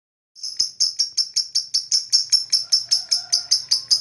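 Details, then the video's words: Lovebird chirping, said to attract other birds: a steady series of sharp, high chirps repeated about two or three times a second, evenly spaced and loud throughout. "Lovebird Fighter Chirping sound, most powerful for attract other bird"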